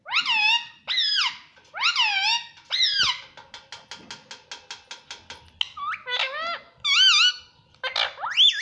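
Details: Talking pet parrot saying 'mummy' nonstop: several loud rising-then-falling voiced syllables, a fast run of dry ticking clicks, then more bent speech-like notes ending in an upward sweep.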